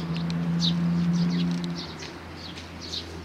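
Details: Sparrows at Tenmangu shrine on 2 May 2019 giving short, bright chirps in quick succession, fairly soft, over a steady low engine-like drone.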